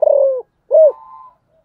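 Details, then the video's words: Spotted dove giving a long, slightly wavering low coo that slides downward, followed by a loud rounded arched coo with a thin fading tail. "cu gáy"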